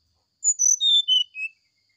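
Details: Oriental magpie-robin in the morning giving a flute-like 'sulingan' song: five clean whistled notes stepping down from very high to mid pitch over about one second, each held briefly, with silence around them.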